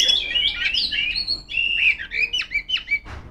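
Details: Continuous song of a female Oriental magpie-robin calling out rivals: dense, varied whistled phrases that twist up and down in pitch, breaking into shorter, choppier notes toward the end.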